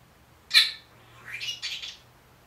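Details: A one-year-old Senegal parrot gives a sharp opening squawk, then says a brief two-part phrase in a high, nasal, slightly raspy imitation of a human voice; its phrases include "Tiki", "Good morning" and "I'll be back".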